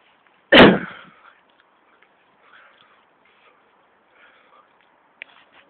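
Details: An injured Great Bittern with a hurt leg, found in Forwich and being caught for a vet, gives a single loud, harsh squawk lasting about half a second, followed by near silence with only faint clicks and rustles.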